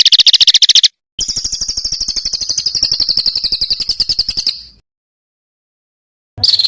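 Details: Small birds with rough, harsh song: a loud fast rattle, a brief cut, then a long buzzy trill of rapid even pulses under a high whistled tone, followed by silence and a final burst.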